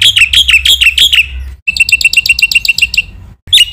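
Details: Black-winged myna training song (masteran) packed with phrases: a quick series of loud, harsh chirps, a short gap, then a steady run of rapid ringing chirps, with a brief burst at the end.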